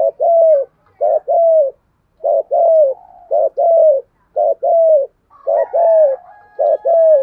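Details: Spotted doves, male and female, cooing for training birds: low soft coos in short paired phrases, a brief note followed by a longer rounded one, repeated about once a second, with a faint higher note near the end.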